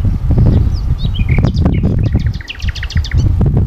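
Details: In forest at Sithonia, Greece, on 22 April 2018, a common nightingale sings a few sliding notes, then a long series of rapid repeated clicks and chips, partly buried under constant heavy low rumble.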